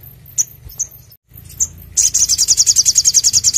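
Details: Spiderhunter singing actively, recorded as a clear lure and training song: thin, very high, separate chips, then a loud, fast, even trill of sharp notes for the last two seconds, with low background hum.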